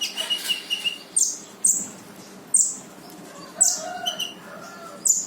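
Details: Brown-throated sunbird, called konin, singing gacor with full tembakan to prompt a lazy konin: busy twittering broken by loud, very high bursts about once every second.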